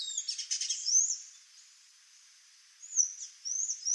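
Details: Sayaca tanager singing a quick buzzy, stuttering run of notes, then a pause, then thin squeaky upslurred whistles repeated in short high phrases.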